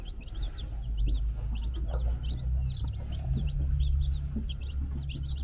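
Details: High, short chick peeps repeat steadily from four-day-old baby chickens running around on a farm in the Czech Republic, a brood hen watching, above a loud low rumbling hum.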